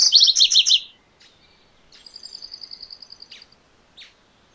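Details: MacGillivray's warbler (Geothlypis tolmiei) sings one loud, rapid phrase of high chirping notes that step lower toward the end and lasts about a second, followed by a thinner, steady trill of evenly spaced high notes and a few soft chips.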